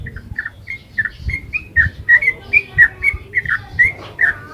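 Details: Sooty-headed bulbul in 'ropel' song for luring: softer, slightly distant whistled phrases that grow louder, short notes repeated quickly over a noisy low background.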